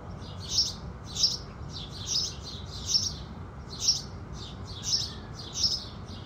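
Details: Sunrise song of house sparrows, natural morning sounds without music. Loud clipped chirps repeat roughly every half to one second in a rough, uneven rhythm over a low, even background drone.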